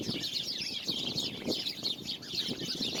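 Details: Many birds singing together, recorded February 24, 2020: a dense, continuous chorus of high chirps and twitters, with soft low knocks and rustles underneath.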